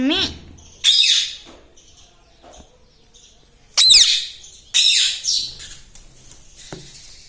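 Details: Pet green ringneck parrot indoors: a short voiced syllable, then several loud, raspy, high squawks with sharp screechy onsets, separated by quiet pauses.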